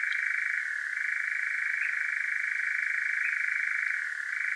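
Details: European nightjar in Devon, South West UK, churring after dark, picked up by a parabolic microphone and Zoom H5; a sustained purring trill, steady in pitch apart from two slight lowerings.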